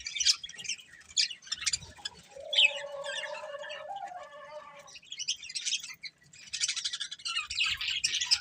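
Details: Budgerigar breeding pair chirping: high scratchy twitters, then a lower nasal warbling phrase lasting about two seconds, then more bright chattering.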